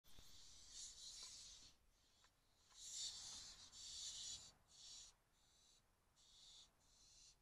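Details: Barn owls at 2:31 a.m. on 12 May 2024, a parent teasing an owlet with food: harsh, hissing screeches in rasping bursts of about half a second to a second and a half, repeated with short gaps.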